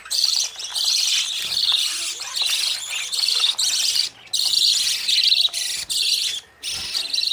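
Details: Young budgerigars just out of the nest running after parents to be fed; bright, buzzy high twittering in loud stretches of about a second, separated by short quiet gaps.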